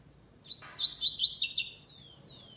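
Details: Tournament double-collared seedeater, classic song without the third note, second stage of a web contest. An upslurred opening note leads into a rapid string of bright, high buzzy syllables, ending in a descending whistled slur.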